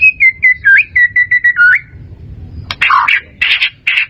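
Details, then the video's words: White-rumped shama song meant for training caged birds: a series of clear, evenly spaced whistled notes with upturned ends, a short pause, then harsher, buzzy chattering bursts over a low background rumble. "SUARA MURAI BATU"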